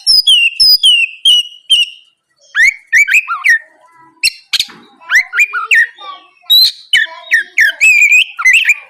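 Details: Oriental magpie-robin (kacer) singing loudly and nonstop in the morning, used as a lure for rival birds: repeated high downslurred whistles, then a long rapid medley of varied whistles, buzzy notes and sharp chips.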